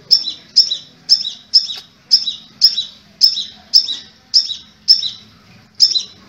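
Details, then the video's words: Crimson sunbird, locally called sepah raja, a kept songbird giving a steady series of sharp, high, slightly buzzy chirps, roughly one a second, each with a brief falling tail, over a faint low hum. "Burung KOLIBRI MERAH "SEPAH RAJA" Yang Lagi NGETREND, Kicaunya KHAS Banget !!!"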